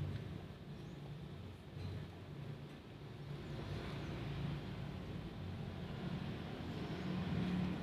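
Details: Low, steady rumble of passing road traffic with engine drone, and no animal calls.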